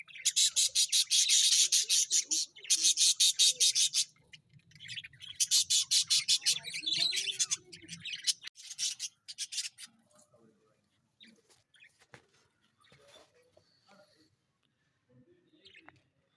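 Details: Budgerigars, playing or fighting, squabble with harsh, rapid, buzzy chattering squawks in dense bursts.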